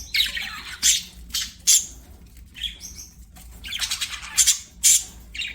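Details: Pet budgerigars singing while playing: scratchy, squawky chatter in bursts, with sharp high chirps and raspy buzzing notes broken by short pauses.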